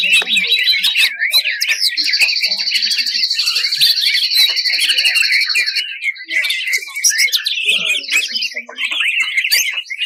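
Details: Greater green leafbird song meant to rouse other birds, with rough 'tembakan' fills: continuous rapid chatter with a long, even high whistle held for about four seconds.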